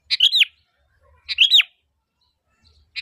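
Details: Sooty-headed bulbul calling to lure others into answering; two short, clear phrases of a sharp note followed by a rising-then-falling slurred whistle, about a second apart.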